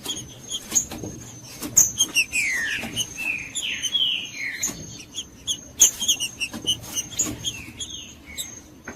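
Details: Judas-style song of a green-winged saltator, used to excite a cold bird: repeated descending whistled slurs tumble one after another early on, with short chirps, clicking, and a continuous faint high whine behind.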